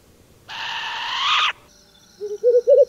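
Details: Short-eared Owl (Asio flammeus) gives one harsh, wheezy rasp lasting about a second, followed by a quick run of four short, rising, nasal notes.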